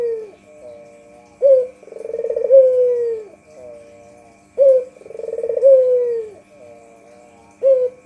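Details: Repeated coos from a local white Barbary dove used for luring birds: a crisp short note, then a rolling trill easing into a long downward-sliding tone, cycling roughly every three seconds over a faint electrical hum.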